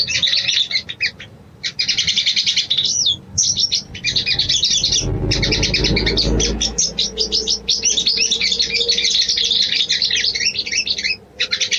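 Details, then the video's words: Female sooty-headed bulbul calling the male, used as a lure: long runs of shrill rapid twittering with brief pauses, and a low rumbling noise underneath midway. "SOGON BETINA MEMANGGIL JANTAN‼️ PANCINGAN BIRAHI"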